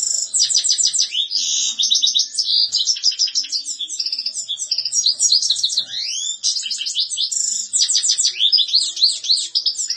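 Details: European goldfinch singing a dense, fast twittering song of high tinkling notes, buzzy trills and rising slurred whistles, delivered almost without pause for ten seconds.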